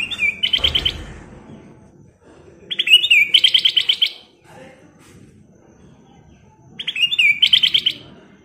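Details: Ruby-throated bulbul (kutilang emas) singing 'gacor' with 'isian' phrases: three similar bursts of rapid, ringing whistled notes, each lasting about one second and spaced roughly four seconds apart.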